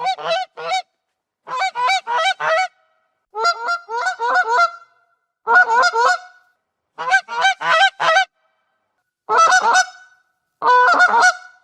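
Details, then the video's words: Goose honking in loud nasal bursts of two to four harmonic honks, groups spaced about a second apart with silence between, described as an alert and presence call carried over lakes and fields. "SOM DE GANSO"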